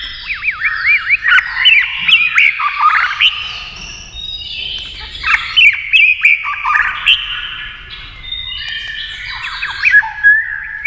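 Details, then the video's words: White-rumped shama singing in a contest against a TV, with fast beak and tail-flicking: a rich, varied stream of rapid whistled phrases, chirps and sharp slurred notes in quick bursts that pause briefly and then resume. "kích chòe lửa hót đấu với tivi cực căng lửa"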